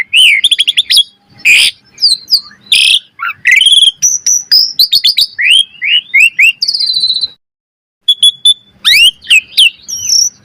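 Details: Asian pied starling song used as a master recording to train caged birds, a varied, lively run of sharp whistles, rising and falling slurred notes, harsh buzzy bursts and chattering clicks, with one brief pause midway.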